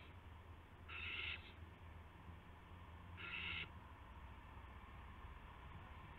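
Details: Owl on March 18, 2016, at 8 PM, with a gopher brought to another owl; two loud, harsh hissing screeches about two seconds apart, each roughly half a second long, against a low steady hum.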